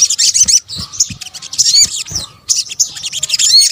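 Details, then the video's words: Sunbird calls, locally sogok ontong, mixed for luring: shrill chirping bursts with rising whistled flicks, broken by short pauses roughly every second, and soft low taps underneath. "kombinasi suara sogok ontong"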